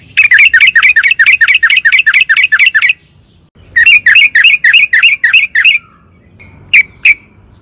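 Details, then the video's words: Yellow-vented bulbul song used as a lure recording: two loud bursts of rapid, bubbly chattering notes, about four a second, then two sharp final notes. "pancingan trucukan gacor"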